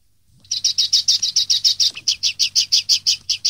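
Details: Common linnet song from a recording made to tutor young linnets in 2013: a steady run of about eighteen bright chirped notes, each doubled in pitch, repeated roughly five times a second for three seconds.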